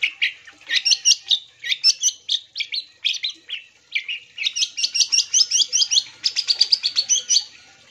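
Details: Long-tailed shrike in full, lively song, meant to draw replies from other shrikes: a rapid, varied stream of scratchy and chattering notes in quick phrases, some sliding up or down, running almost without a break for eight seconds.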